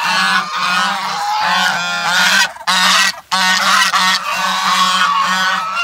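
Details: Geese honking in a crowded, overlapping chorus of nasal, harmonic honks that barely pause, broken by two short gaps midway, with a steady low hum underneath throughout.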